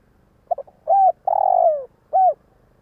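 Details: Decoy spotted dove luring wild doves with a single phrase: two short stuttering notes, an arched coo, a long burred note gliding down, then a closing coo, over a faint low rumble.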